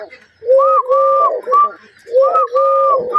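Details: A dove coos in time with finger tapping: two groups of smooth, low, steady hooting notes, each group made of a few drawn-out coos, separated by a short silence.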